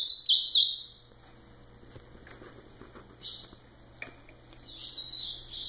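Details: Ultramarine grosbeak giving a short slurred whistled phrase, then quiet with a few scattered brief notes, before another warbling phrase begins near the end.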